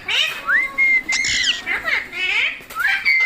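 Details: Talking pet parrot indoors, uttering a run of rising whistles that level into held notes, broken by a sharp squawk and rasping harmonic calls.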